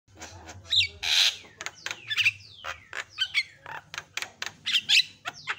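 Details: Black-winged starling song used as a training recording for other birds, in a varied, very active style: dense run of harsh squawks, sharp chirps and down-slurred whistles in quick succession, with a low hum beneath.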